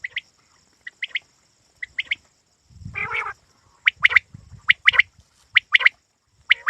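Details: Quail calling for hunters: sharp, clipped two- and three-note phrases, repeated about once a second, with one louder burst of harsher, lower sound midway and faint low rustling.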